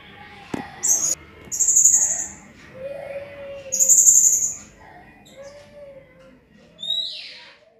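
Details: Blue-crowned hanging parrot gives bursts of very high, shrill buzzy notes, ending in a thin downslurred squeak, with faint low whistles in the background; a recording meant for training other songbirds.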